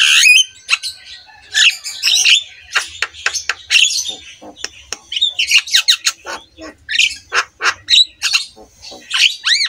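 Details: Javan myna master song, played to coax quiet mynas into singing: dense run of harsh squawks, rasping chatter and short clipped notes, ending in a few rising whistled slurs.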